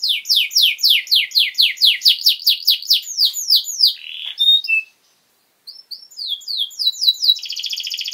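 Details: Actively singing canary as a tutor song for youngsters: a long regular series of quick descending sweeps, a brief pause, then renewed sweeps and a buzzy high trill.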